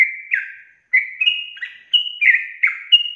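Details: Sooty-headed bulbul giving short, fluty phrases of two or three whistled notes, some held steady and others falling, separated by brief pauses within a rapid ropel song.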